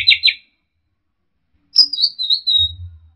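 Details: Orange-headed thrush song for tutoring caged birds: a brief trilled chatter, a pause, then a high wavering whistled phrase that drifts down, over a low hum.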